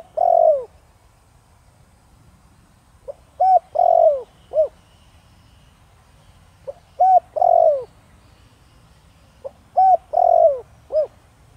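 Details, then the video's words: Spotted dove (cu gáy), a caged bird of the thổ đồng voice style used to lure wild doves, cooing in three-part phrases: short note, a strong drawn-out falling coo, then a brief final note, repeated about every three seconds. "Cu gáy Thổ Đồng kích bổi nhanh nổi/Chim cu gáy giọng nhạy bổi/bổi nghe gáy như điên/cu rừng phản ứng"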